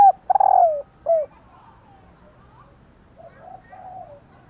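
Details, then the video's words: A calling female spotted dove, meant to set males cooing. A loud stuttering, descending coo and a short downslurred note are followed by softer, fainter wavering coos later on. "Tiếng Cu Mái/ cu mái kêu kích chim cu gáy trống gáy theo"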